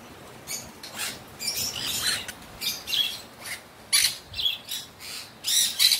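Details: Cockatiel, excited by a sudden rain shower, calls in short, shrill chirps and scratchy squeaks, with rain falling throughout.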